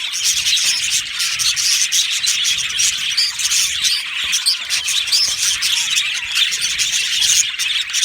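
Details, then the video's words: Continuous high chirping from a budgerigar aviary colony, countless short tweets and scratchy warbles layered together into an even, bright chatter. "Budgie parrot chirping sounds"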